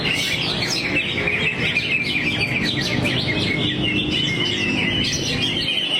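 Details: Greater green leafbird pouring out its song material in a relaxed 'teler' state. The notes are rapid, overlapping and high-pitched, a nonstop chattering warble with steady low background noise underneath.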